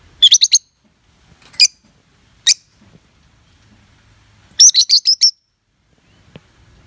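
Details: Pet lovebird giving bursts of rapid, high, sharp chirps, with a run of four or five notes, single isolated chirps, then another quick series of about six chirps, over faint low room noise.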